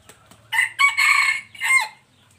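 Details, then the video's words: Close, full crow of a wild three-year-old red junglefowl from 26 January 2023: a brief lead-in note, a long rasping middle section and a falling final syllable, all within about one and a half seconds, over a low hum. "qaib qus laus 3xyoos .ไก่ป่า100 3ปี"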